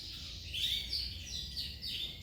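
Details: Male Giboso canary in rapid, varied song: high twittering with several clear whistled notes that rise and fall in quick succession, over a low background hum.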